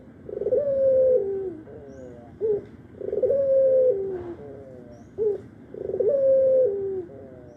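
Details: Three regular phrases from an albino Barbary dove that calls morning, noon and night, each a long level coo sliding lower followed by a short rising note, spaced about every two and a half seconds.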